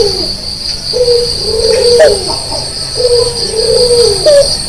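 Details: A white Barbary dove with red eyes calling actively in the early morning; low, soft coos in repeated phrases of rising and falling notes, with a steady high insect-like hum throughout.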